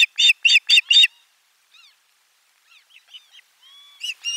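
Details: Osprey at nest 4 around a midday fish delivery on 12 July 2022: four loud, sharp chirps in a quick row, faint thin whistles in between, then louder calls starting again.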